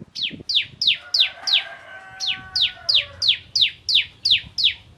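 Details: Crystal-type bar-winged prinia in 'nembak ngentrok' song, giving steady, loud, downward-sweeping chips roughly three per second with a faint lower tonal sound in the background midway.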